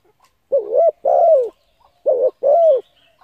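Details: Spotted dove coo for stirring up decoy birds: a short dipping note runs into a longer descending coo, and the pair is repeated once right after. A few faint ticks are heard in the background.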